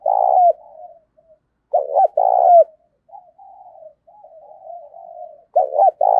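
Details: Spotted dove used as a decoy, cooing each day in the thổ sấm voice to challenge wild doves. Low purring notes join strong phrases of paired short hoots and a drawn-out coo, heard three times.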